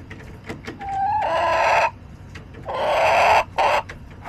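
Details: Backyard chickens recorded July 17, 2024: two loud, drawn-out, harmonic calls, the first about 0.7 seconds and the second about a second long with a brief tail burst. A short nasal note comes before them, with faint clicks in between.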